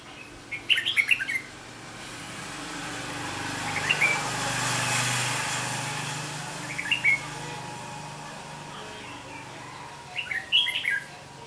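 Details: A Red-whiskered bulbul (Pycnonotus jocosus) beside a house gives short bursts of bright, chirpy notes in four clusters spaced a few seconds apart, over a faint hum of distant traffic.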